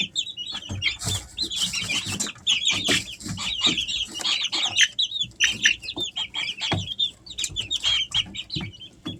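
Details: A brood of three-week-old Easter Egger chicks at home keeps up rapid, high trilling peeps almost without pause, many voices overlapping, alongside light scratching and pecking sounds.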